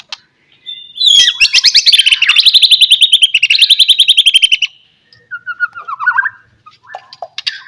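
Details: White-rumped shama singing as a lure to provoke other shamas to answer: a long, fast, rattling trill sliding gradually downward for several seconds, then lower whistled phrases and short chips.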